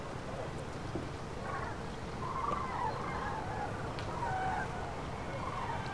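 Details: Migrating common cranes passing over central France on 5 March 2016, flocks scattered by bad weather; several far-off rolling, bugling calls overlap across a background of wind-like rumble.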